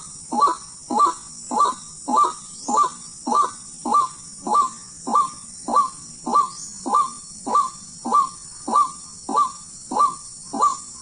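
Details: Wild white-breasted waterhen, recorded while being hunted: a long, steady run of hoarse croaking notes repeated about every 0.6 seconds, each note starting low and bending up sharply, over a constant high hiss.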